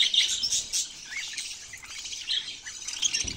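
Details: Short burst of budgerigar squawks and chirps, loudest at the start, then lower chatter.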